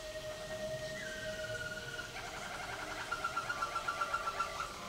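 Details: Waterslager canary caged at the 2011 WWC singing contest: long level tones dropping in steps, then a fast bubbling trill of closely spaced notes, fairly quiet against a low background hiss.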